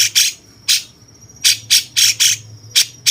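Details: Cucak cungkok bulbul, a songbird master described as sounding like a cucak jenggot, utters loud rasping squawks singly and in pairs, with a thin steady high whine running between the notes.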